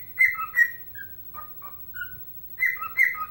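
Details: Pet bird, a fan of the Chicago Blackhawks, whistling its own version of Chelsea Dagger while dancing: clear whistled notes stepping between higher and lower pitches in short repeated phrases.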